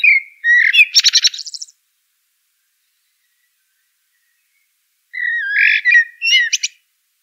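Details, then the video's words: Common blackbird (Turdus merula) singing two phrases a few seconds apart, each a low mellow fluted warble that ends in a high, squeaky twittering flourish. The background is silent. "Bird Song - Common Blackbird"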